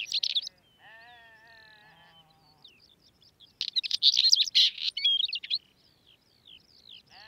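Northern wheatear: short scratchy, crackling bursts mixed with a drawn-out nasal note and thin high whistles, separated by brief pauses.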